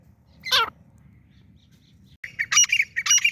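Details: Francolin (teetar) calling: one harsh, strained squawk, a pause of about a second and a half, then a quick run of loud, scratchy, high-pitched bursts to the end.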